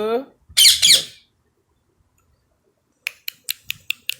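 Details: Talking Indian ringneck parrot kept as a pet indoors. A person speaks briefly, then two loud grating squawks follow close together. After a long silence comes a run of six sharp clicks about every fifth of a second.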